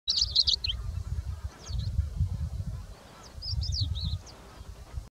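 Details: Erlanger's lark (Calandrella erlangeri) calling on the Sululta Plains, Ethiopia, on 9 November 2018, gives three brief bursts of high, chirpy twittering notes, spaced a second or two apart, over heavy low wind rumble.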